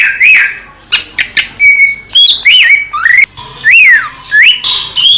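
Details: Greater green leafbird recorded in the wild in Indonesia: separate clear whistles, some rising, some swooping down, mixed with short sharp chips, delivered loudly with brief gaps.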